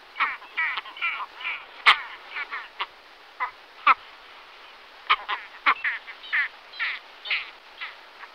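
Great Skua giving harsh, nasal, croaking calls in an irregular series, roughly one burst every second or two, broken by a few sharp clicks.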